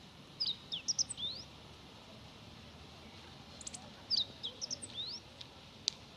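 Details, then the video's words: Meadow bunting singing in early spring, 25 February 2018, under a cloudy, slightly chilly sky, filmed on a Panasonic DC-FZ85 with wind-noise protection: two quick phrases of varied high, sharp twittering notes, the second repeating the first after a pause, over faint background hiss. "ホオジロ Meadow Bunting の囀り"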